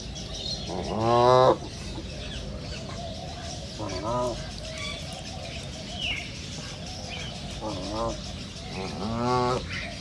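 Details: Duck calling in loud, nasal, harmonic quack bursts: a long one early, shorter ones later, and a final drawn-out series. Faint bird chirps and a steady background hum fill the gaps.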